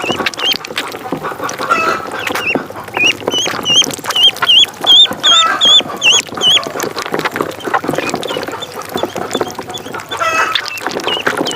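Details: High, curling peeps from a duckling in a pond, repeated in quick runs of several notes, loudest in the middle, over a constant watery rustle.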